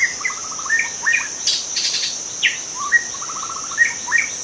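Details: Wild forest white-rumped shama singing: varied loud whistles, quick runs of evenly spaced clipped notes, and short rising and falling phrases, over a steady high-pitched insect drone.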